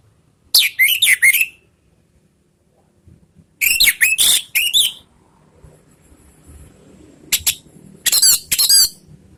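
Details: Orange-headed thrush, anis merah, in a ngeriwik-style provoking song: three clusters of fast, high, scratchy notes mixed with whistled slurs, separated by silent pauses of about two seconds.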